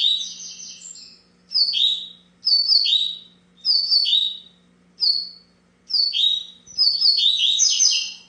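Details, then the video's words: Coleiro (double-collared seedeater) in full song: a run of rapid high phrases, each a quick downslurred whistle, repeated at roughly one-second intervals and ending in a richer warbled flourish; faint low hum. "Canta muito"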